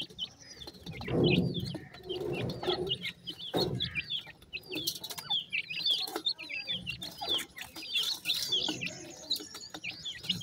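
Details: Newborn Sindhi partridge chicks in fields in Pakistan, giving many thin, high, downward-slurred peeps in quick overlapping runs, with some low rustling and handling noise beneath.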